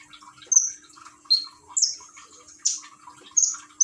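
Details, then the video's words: Common iora, a kept songbird in Gresik, East Java, Indonesia, recorded by Android phone while trickling water is played to coax it into singing: sharp, high, downslurred chirps about every three quarters of a second, with faint softer notes between. "Burung konin rajin bunyi dengan terapi gemercik air"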